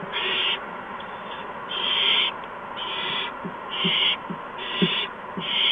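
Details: Owls at a nest during three quick food deliveries of mice and a gopher to owlets, evening of March 13, 2015. Six loud, breathy hisses follow one another about once a second, mixed with soft tapping sounds.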